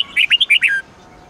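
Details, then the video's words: Twisting 8-9-10 note song of a red-whiskered bulbul, used for daily training of caged birds: six rapid bright whistled notes ending in a longer held, slightly falling note, then quiet. "Luyện giọng chào mào hót âm 8-9-10 xoắn tít cực hay"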